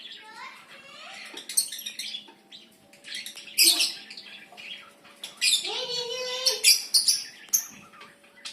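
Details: Dun fallow lovebirds in an aviary giving shrill, squeaky, overlapping chatter with sharp high chirps and scratchy bursts. A lower, warbling harmonic sound rises and falls around the sixth second.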